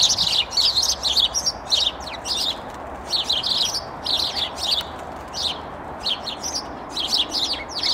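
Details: A boisterous group of sparrows arguing in a tree chatters constantly, with bright overlapping chirps in quick irregular bursts and no other clear sounds.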